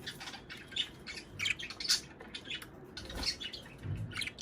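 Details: High, squeaky chirps and rasping squawks from budgerigars, sound offered to bring birds into breeding condition; notes come in quick irregular bursts, with a soft low thump partway through.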